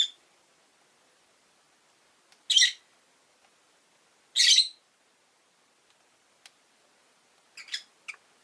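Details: Five caged rosy-faced lovebirds with orange faces and green bodies beside a window: harsh screechy chirps spaced about two seconds apart, with a brief pair of chips near the end and quiet gaps between.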